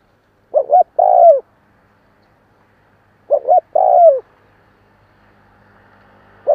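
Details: Spotted dove calling to stimulate newly caught birds, two phrases about three seconds apart, each with two short coos and a long descending coo, then the start of a third, faint background hum.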